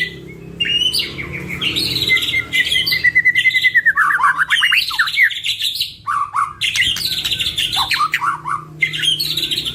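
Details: Two caged white-rumped shamas sing long, varied song as a lure for training songbirds: a drawn-out series of descending whistled notes, fluty slurs and harsh chattering bursts, nearly nonstop.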